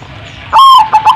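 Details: Zebra dove uttering a brief hollow coo: one sustained, level note, then two quick clipped notes, clear against a quiet background.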